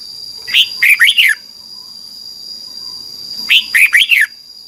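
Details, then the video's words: Thai red-whiskered bulbul training song for young birds: two brisk phrases, each four liquid whistles slurring down, roughly three seconds apart, over a constant high hum. "นกกรงหัวจุก, 30 นาทีทุกเช้า เพื่อให้นกเรียนรู้ที่จะพูดได้อย่างรวดเร็วและหนักแน่น"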